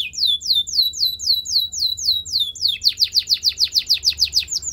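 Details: Belgian canary singing a tour of clear descending whistled slurs at a steady pace, switching to a faster, denser run of sharp downward notes.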